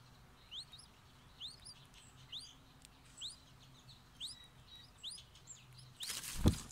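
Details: Streak-eared Bulbul nestlings being fed by their mother give thin, high rising begging squeaks in small clusters about once a second; steady low hum underneath and a loud rustle at the end.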